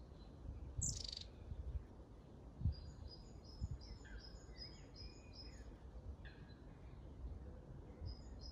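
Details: Long-tailed tits in Grunewald, 20 March 2021, uttering rapid series of tiny, very high, clipped notes, about one per second overall with quick runs, plus occasional lower chirps, against distant low rumble.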